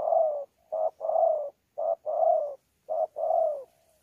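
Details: Spotted dove, wild-caught, coos in thổ pha contest style mixed with gù, Sa Thầy, 26 November 2019. Three hollow two-part phrases: a brief note, then a longer coo that falls slightly at the end, about a second apart.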